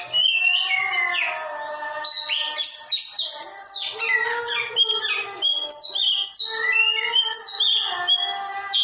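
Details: Oriental magpie-robin (kacer) song for training other birds: a varied, melodious run of whistled and slurred phrases, with rising and falling notes and quick chirps delivered almost continuously; faint tonal background bands.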